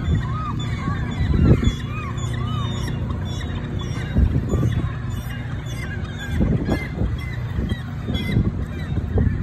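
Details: Emperor geese calling: short arched, nasal honks repeated at uneven intervals through the first half, fainter later, over steady low rumble and bursts of noise.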